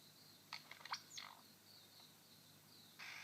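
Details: Male superb lyrebird on his dancing mound in Sherbrooke Forest Park, Victoria, mimicking a shrike-tit: a quick cluster of four or five short, sharp notes over steady hiss, followed by a loud rushing burst at the end.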